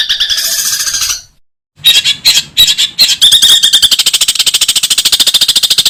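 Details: Long-tailed shrike in a tutor recording for training other shrikes, singing in kuntilanak and gereja styles with full ngekek chatter: a harsh buzzy squawk, a short silence, scratchy bursts, then a fast steady run of sharp ticking notes.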